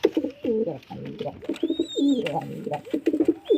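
A pigeon gives low, throaty cooing in quick rolling bursts, several phrases in a few seconds, with a faint thin whistle above in a small room.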